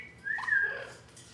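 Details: Pet Amazon parrot, left alone, cries because it gets no attention: a single drawn-out whistled cry, held level and then easing slightly lower, with a brief lower note beneath it. The room is otherwise quiet.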